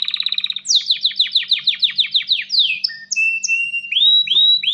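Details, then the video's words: Singing male canary courting a female: a fast trill followed by about a dozen steep descending notes roughly four per second, then long level whistles and several rising slurs. "تغريد كناري ومناداة للتزواج"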